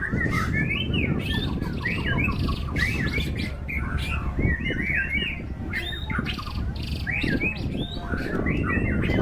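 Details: White-rumped shama singing steadily during a singing contest in strong wind: rapid, repeated bursts of bright whistled and chattering phrases with quick rising and falling notes, heard over a constant heavy roar of wind.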